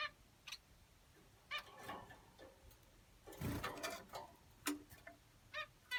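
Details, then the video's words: Sparse nasal finch notes over six seconds, with a loud broadband rustling or scraping noise near the middle and low steady background hum. "Lovely Finches"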